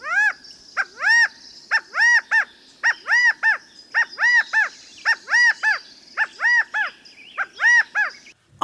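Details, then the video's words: California quail rally or assembly calls, "chi-CA-go," the middle note highest: loud three-note calls repeated about once a second with overlapping callers. "And that is the sound that I am most familiar with from California quail. Listen into that."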